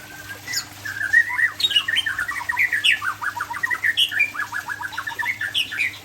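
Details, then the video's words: White-rumped shama of the Aceh type, called murai Aceh, singing a fast, varied run of short sliding whistles and chattery notes in quick succession, some sweeping up sharply, with a steady low hum in the background. "Murai Aceh"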